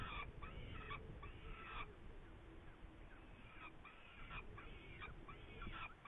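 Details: A Saker falcon (Falco cherrug) in Hungary on 8 May 2019, with prey, gives harsh, rasping calls in short bursts, about six over six seconds, over a steady low rumble of wind.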